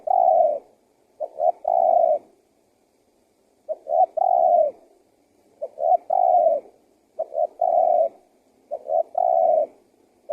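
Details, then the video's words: Spotted dove, a calling bird used to lure wild doves, giving repeated three-part coos: short notes then a long descending coo, phrases every couple of seconds, clear and uncluttered. "SUARA TEKUKUR GACOR PALING AMPUH UNTUK PIKAT BURUNG LIAR"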